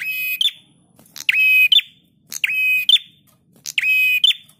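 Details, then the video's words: A prinia sings loud, buzzy, flat-pitched phrases of about half a second, each ending in a short upward flick, repeated roughly every 1.2 seconds, used as a training song for other birds. "Masteran Prenjak Tamu GACOR"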